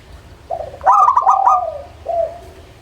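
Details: Zebra dove of the local type singing: a soft opening coo, then a rapid stuttering cluster of bright notes, a long gliding coo trailing downward, and a final short coo. Low background hum.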